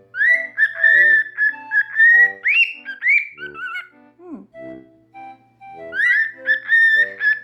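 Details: Two pet cockatiels, normal pied and albino, whistle a tune such as the Mickey Mouse March close to the owner's ear: phrases of steady whistles and upward slurs, a low falling squeak, a short gap, then the phrase restarts.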